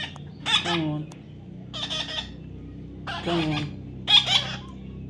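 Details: Baby parrot being tamed, calling in a series of harsh, squawky notes with falling tones, four short bursts about a second apart, over a low steady background hum.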